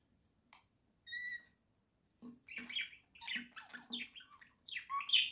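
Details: Indoor pet budgerigars chattering with harsh squawky notes and a clear whistled tone, followed by dense scratchy warbling bursts.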